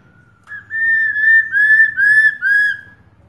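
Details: Female Black-throated Laughingthrush calling 'ro' to rouse a male to sing. Five or six joined whistles roll on at a steady pace, each a little lower than the one before.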